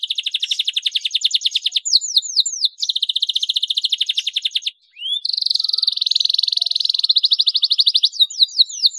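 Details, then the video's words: Lively canary singing, used to spur canaries to sing: long rapid pulsed trills broken by quick descending whistled sweeps, a brief pause, then a rising slur into another extended trill. "SUARA PANCINGAN KENARI GACOR PERANGSANG JITU KENARI BAHAN CEPAT BUNYI"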